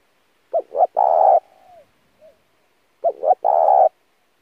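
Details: Spotted dove cooing, used as a lure call for decoy training: two low, mellow phrases, each of two short rising notes then a long sustained coo with a soft trailing tail, about three seconds apart, in a quiet setting.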